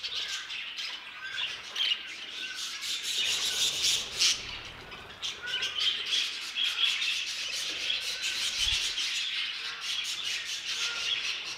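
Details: Aviary budgerigars keep up a busy, overlapping chatter of shrill chirps and buzzy squawks, with brief bursts of louder calls and a faint flutter of wings.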